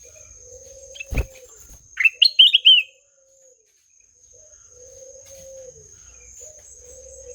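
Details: Melodious ruby-throated bulbul song: a single thump, then a short, bright phrase of rising and trilled warbling notes, followed by quiet with a faint low hum and a constant high-pitched whine.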